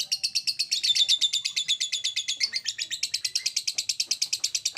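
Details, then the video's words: Lovebird ngekek trill meant to set other lovebirds trilling: fast, steady high rattling chatter, briefly dipping in pitch near the first second, then continuing evenly to the end. "PANCINGAN SUARA LOVEBIRD NGEKEK"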